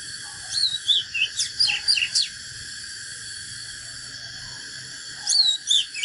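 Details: Oriental magpie-robin in a fired-up, competitive natural song: a quick burst of varied, sweet whistled notes, some sliding up and down, then a pause and a second shorter phrase.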